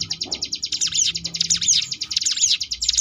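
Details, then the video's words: Sunda bush warbler ngebrem variations for training contest birds: a dense, rapid high trill overlaid almost throughout by quick, dipping and rising whistled sweeps. "cigun ngebrem variasi"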